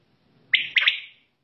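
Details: Single quail (batair) call, heard at night and in the morning, a crisp note followed by two rapid accented notes trailing off in a brief rasp, in a quiet setting.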